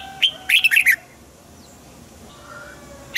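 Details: Caged Red-whiskered bulbul song used to stir up other cage birds: a single clear note, then a quick cluster of four rich, bubbling whistles, a long pause, and one more sharp note at the end.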